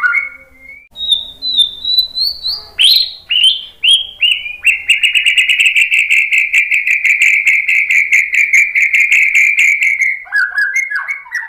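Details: White-rumped shama song used to provoke another bird into singing: opening rising whistles and sharp upslurs, then a long fast even trill of buzzy notes near one pitch, ending in lower varied phrases.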